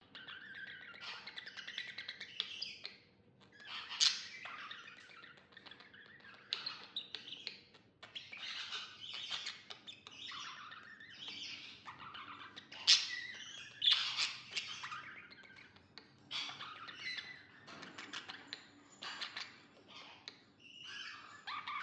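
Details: Budgerigar (Melopsittacus undulatus), chirping.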